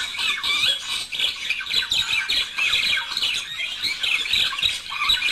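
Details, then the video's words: Budgerigar pair singing to stimulate mating, with a steady torrent of chattering squeaks, quick trills and rasping notes that barely pauses. "تحفيز# طائر البادجي على التغريد والغناء صوت يحفز البادجي على التزاوج"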